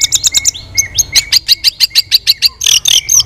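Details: Caged white-rumped shama in training, flicking its tail while singing competitively in many voices: a rapid run of sharp, high chipping notes, about three per second, then a string of bright metallic notes ending in a dense flourish.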